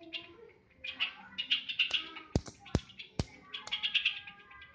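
Sooty-headed bulbul giving bright, bubbly chattering phrases in quick bursts, broken by three sharp taps near the middle.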